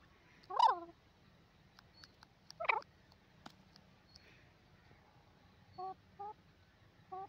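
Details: A pair of grey francolins gives two loud, raspy calls, then a run of short, clipped double notes, with a few sharp ticks in between.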